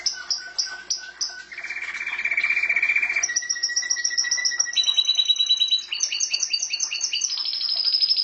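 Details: Canary song with varied phrases: a few separate chirps, then a sustained rapid rattling trill, followed by a series of shifting trilled tours at different pitches, each a fast string of repeated notes.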